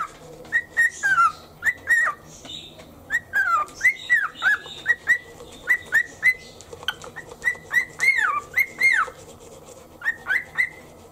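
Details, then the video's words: Indoor pet cockatiel, happy in the morning, whistling along to toothbrushing rhythm felt on the shoulder: clipped upward whistles in quick pairs, some longer notes dipping down then rising, steady phrases with brief pauses. "歯磨き中のリズムにノリノリのオカメインコ Cockatiel sings to the rhythm in toothpaste."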